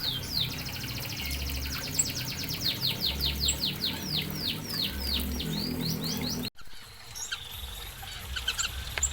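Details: Zebra finches kept in a minimalist aviary with a natural atmosphere. A rapid run of short, downward-sweeping chirps repeats about twice per second for six seconds, then fades to sparse faint calls, over a steady low hum.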